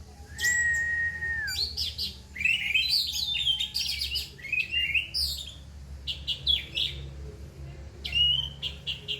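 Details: Orange-headed thrush singing a rough, dense, loud song: an opening flat whistle sliding down, then tangled scratchy warbles and rapid chattering fragments, with a brief rising whistle near the end and low hum in the background.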